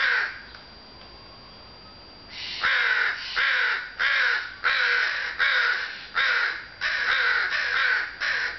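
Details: Crows cawing on a sunny early June afternoon: after about two seconds of near quiet, a steady run of harsh, raspy caws begins, roughly nine calls spaced about half a second apart, loud and evenly repeated.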